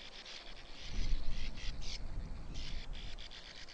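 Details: Sand martin giving harsh, buzzy twittering calls in irregular bursts of about four per second, set against a rumbling low noise that swells in the middle.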